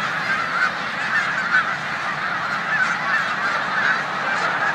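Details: Snow geese massed in a corn field at Savannah, New York, in mid-March 2020, pausing before migration to the Canadian tundra among resident Canada geese; constant chorus of many overlapping yelping honks with no gaps.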